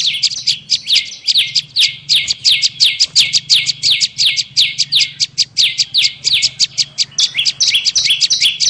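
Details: Bar-winged prinia sound used to lure birds. Dense, steady series of piercing chirps, nearly three a second, shifting to a more spaced two-note pattern at the end, over a faint low hum.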